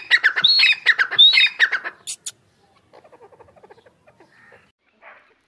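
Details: Grey francolin, large bird, recorded 28 March 2024, giving two seconds of loud repeated phrases of high whistled notes and harsh grating notes, then fading into soft, scattered, lower chattering notes and near quiet.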